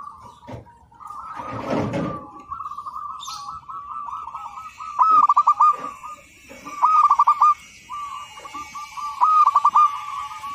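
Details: Local Indonesian zebra dove singing actively, recorded as a master for training other birds; after a burst of rustling noise, stuttering coos near one pitch arrive in three rolling phrases about two seconds apart, with softer doves cooing behind.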